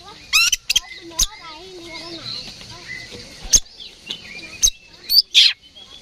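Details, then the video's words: Oriental magpie-robin stirred up to fight, with sharp scratchy notes, soft warbled whistles and quick squeaks at moderate volume, set against faint low background murmur. "KACER GACOR NGEPLONG TARUNG !! PANCINGAN KACER PALING AMPUH BUAT MENAIKAN EMOSI KACER AUTO RESPON"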